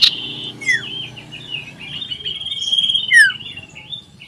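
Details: Common iora singing loudly in full voice, seeking a rival, recorded 27 December 2022: a sustained high whistled trill with sharp descending slurs and brief chips.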